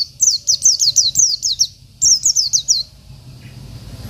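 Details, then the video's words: A local Oriental white-eye sings to stir up rival birds, giving two quick runs of bright, piercing downslurred notes, about seven then five, over a faint low hum. "PLECI BIKIN EMOSI LAWAN || Pleci Lokal || Pleci Isian"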